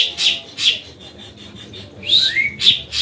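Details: Ashy drongo song used as a lure to prompt other drongos into singing: short bright whistled notes and harsh buzzy bursts in spaced phrases, ending with a slurred falling whistle and sharp high notes.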